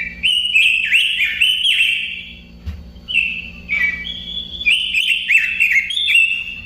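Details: Whistled robin song in two bursts of quick, varied slurred notes separated by a quieter pause, with a faint low hum in the background.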